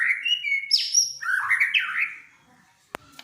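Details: White-rumped shama song meant to set other birds singing: varied whistled phrases jumping between low and very high notes, some sweeping and rattling, ending in silence broken by two sharp clicks.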